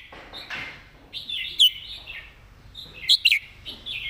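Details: Red-whiskered bulbul in a cage giving soft warbles, one sharp whistled note and a short cluster of three quick whistles, with faint background noise.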